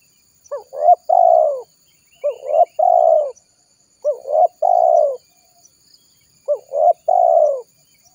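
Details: Spotted dove cooing, used as a lure for trapping wild doves: four phrases of short rising coos and a long falling coo, roughly every two seconds, with faint high bird chirps.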